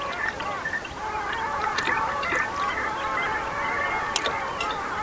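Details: Dense chorus of long-tailed ducks with common eiders, resting on the foggy Bothnian Sea near Räyhät, Viasvedenlahti, Finland, on 30 April 2010: many overlapping nasal, yodelling calls rising and falling in a continuous, jumbled babble.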